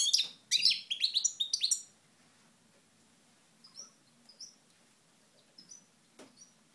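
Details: Short burst of high, jangling twitters from a European goldfinch at Moknine, 2012, sitting in the sun, followed by quiet with a few soft isolated chips.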